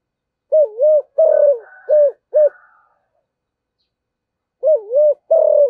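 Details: Spotted dove kept as a decoy sings 'giọng thổ' style: a wavering double coo, a long falling coo, then clipped notes, followed by a fresh phrase after a short pause; a soft higher murmur accompanies.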